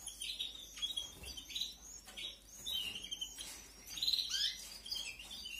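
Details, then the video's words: Caged canary chicks during a 2021 aviary breeding beg while being fed, giving softer, thin, high chirps in scattered short bursts with some quiet background hiss. "QUE BONITA ES LA CRIA, CEBANDO 🐣🐣🐣. CRIA DE CANARIOS 2021."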